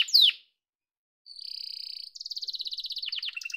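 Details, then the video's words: Yellow pet canary song: a sharp falling whistle, a pause, then a steady high buzzy trill running into rapid rolling tours that dip and repeat. "Muhteşem Kanarya Sesi: Sarı Kanarya'nın Efsanevi Ötüşü"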